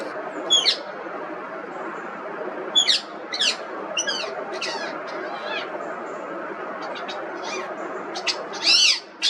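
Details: Scattered high, scratchy calls and short chatter from an Indian ringneck parrot, or rose-ringed parakeet, spaced irregularly over steady low background hum, with a louder burst near the end.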